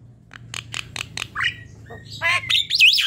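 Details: Javan myna (jalak kebo) heard as a lure to prompt singing: a short string of dry ticking clicks followed by harsh rising notes and a twisting high whistle.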